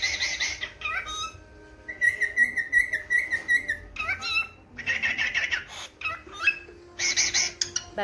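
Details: Yellow cockatiel (Nymphicus hollandicus), pet, calling its owner with a mimicked name: a mix of bright chirps and a run of rippling whistled notes, with harsher broadband squawks between; some indoor background noise.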